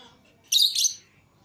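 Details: Lovebird, from a mixed group including green Fischer's and lutino pairs let out of the cage together indoors, giving one loud harsh high chirp of about half a second, with quiet background before and after.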